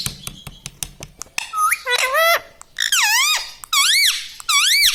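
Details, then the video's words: Household talking parrot saying words like "radhe radhe"; a few soft clicks open, then loud, strongly harmonic syllables swoop up and down in separate bursts, about one every second. "bolta parrot"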